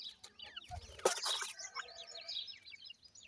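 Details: High, thin, falling peeps from a group of farm-raised grey francolin (teetar) chicks in Pakistan, with a sudden loud rustling crash early on, then the chicks keep calling in a busy chorus.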